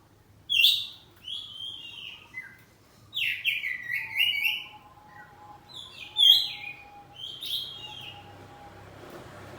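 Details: Kacer poci, the home-kept oriental magpie-robin, belting out ngeplong song in exchange. Sharp whistled notes and downward slurs arrive in spaced bursts over nearly ten seconds, with a faint steady tone in between.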